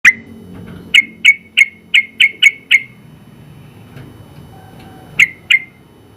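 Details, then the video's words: Sooty-headed bulbul, a contest champion in the general class, sings a 'gacor' song. It gives short clear whistled notes, seven in a fast row, then a pause and two more. A faint low hum runs underneath. "Suara Burung Trucukan Gacor ropel panjang"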